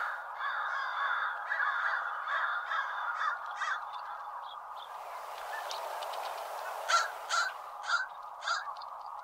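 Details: American crows, backyard birds that stay through winter, give harsh, hoarse caws, first a fast run of rough notes, then four louder separate caws about half a second apart.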